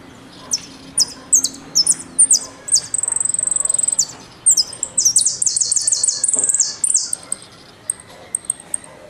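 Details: An Argentine jilguero (saffron finch) sings high, sharp chips and drawn-out whistled trills, then a fast buzzy rattle, in quick bursts of strikes and whistles, over a faint background hum.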